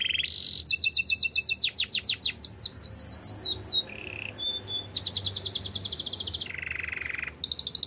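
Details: Varied canary song: a short, high, buzzy note, a flat, rattling trill, rapid sweeping chips, a brief lower buzz, then fast, high, rolling trills alternating with a deeper, rattling tour.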